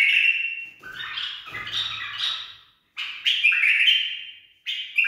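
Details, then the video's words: A tame, properly trained bulbul sings bright, slurred, warbling phrases that rise and fall, in short bursts with brief pauses, with a faint low rustle partway through. "بلبل أليف تخريج صحيح"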